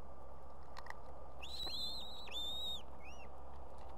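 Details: Calling female osprey at a nest in Estonia with two chicks, urging the male to bring fish: two drawn-out, high whistled notes rising then holding level, followed by a shorter upslurred yelp.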